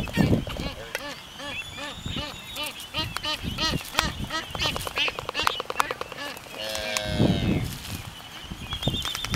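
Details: Black-footed albatrosses courting on Midway Atoll in 2010 give rapid braying, nasal calls in quick runs, mixed with sharp bill clacks, then a louder groaning cry near the end.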